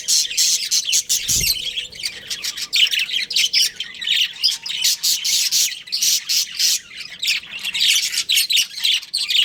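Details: Breeding pair of pet budgerigars in busy warbling chatter, with sharp clicky chirps repeated in quick pulses and a short thump early on.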